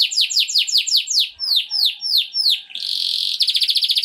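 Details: Canary song used to prepare females for mating: a run of repeated descending whistled sweeps about six per second, then slower falling notes, shifting into a steady buzzy trill and rapid pulsed rolls.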